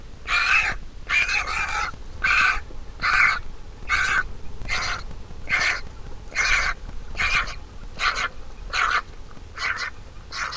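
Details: Big nestling vulture calling as its mother feeds it: rough, hissing-edged squawks repeated rapidly, more than a dozen in ten seconds, varying slightly in length and loudness.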